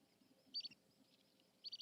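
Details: Little Stint calling in the background at the Urdaibai lagoon, 25 August 2021. Two faint bursts of short, high twittering notes, one just after the start and one at the end, against quiet background.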